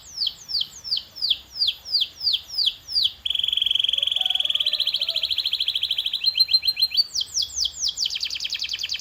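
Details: Canary training song: repeated loud descending whistles, then a long rapid buzzing trill, a higher rattling run and final quick falling notes, soft warbles faintly below.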